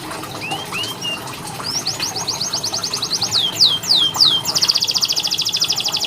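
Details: Training song for canaries that are slow to sing: soft rising notes lead into a rapid chain of descending whistles, then a dense, fast, buzzy trill.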